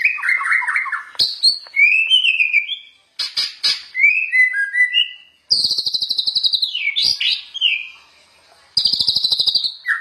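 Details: White-rumped shama in full song, a master recording for training other shamas: rich mix of low warbled runs, sliding whistles, high ringing notes and fast buzzy rattles, with short silences between bursts.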